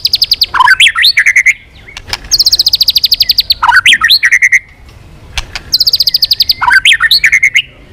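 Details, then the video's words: White-rumped shama in full song, tail flicking without pause, changing voices: three phrases, each a fast, even, very high trill dropping into looping whistled notes, separated by short pauses. "Chòe Lửa kéo dây yến đảo giọng đập đuôi liên tục. kích Chòe Lửa hót căng."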